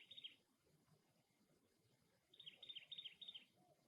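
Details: Faint cactus wren calls at its nest: a brief rasp, then after a pause a longer run of about six harsh, rapid notes, over a soft hiss.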